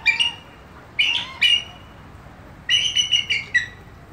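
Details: Bald eagles give thin, high chirping notes in short stuttering bursts, a quick series at the start and a longer twittering run near the end.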